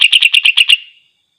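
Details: Greater green leafbird singing to provoke other leafbirds into fury: a brisk burst of about seven bright, clipped chirps in under a second, then the last note trails away into silence.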